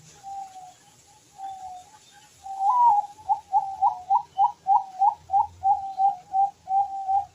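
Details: Zebra dove (perkutut) singing actively, kept as a song bird: a few soft, level coos open the phrase, then a quick run of about fifteen short, rounded, bubbling coo notes at an even pace and steady pitch, with a quiet background.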